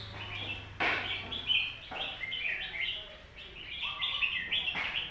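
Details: Red-whiskered bulbul master song meant for teaching young birds: a continuous string of quick whistled and warbled notes at moderate loudness, with a few brief broadband knocks between phrases.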